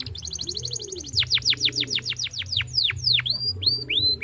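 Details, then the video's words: Canary song used as a lure to get a young canary singing: a quick buzzy trill, then a run of loud steeply falling whistled notes, ending in a few separate upswept whistles. "pancingan bunyi kenari muda langsung ntautt dengan ini"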